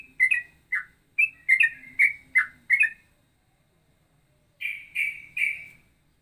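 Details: Ropelan song combining cucak rowo and trucukan phrases: a burst of quick whistled chirps, a two-second pause, then three drawn-out bright whistles.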